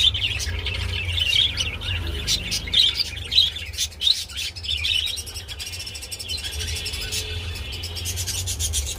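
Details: Budgies calling while mating: rapid high chirps and buzzy warbling in quick runs, louder in the first half, then a thinner, rattling chatter over a constant low background hum.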